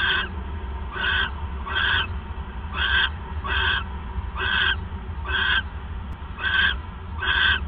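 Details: Owl at night on December 28, 2014, around 9:42 PM, as the male brings a third mouse; harsh, raspy hissing bursts repeat roughly every second over a steady low hum.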